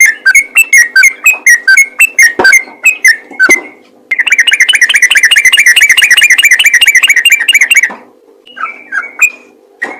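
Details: Yellow-vented bulbul giving rapid 'ropel' calls to get other bulbuls singing. Quick chirps, then a long buzzy, fast-pulsed trill lasting nearly four seconds, followed by a few scattered notes over a low hum.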